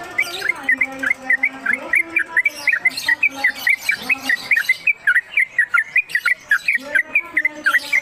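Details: Long konslet kemedol run from a caged trucuk: dense chain of quick whistled notes, rising and falling in pitch, with a low droning tone underneath at times.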